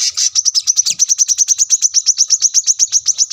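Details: ['Singing brown-throated sunbird, a masteran recording for tutoring caged birds: fast trill of bright, high, clipped notes, one brief downslurred note near the start, otherwise steady and even.']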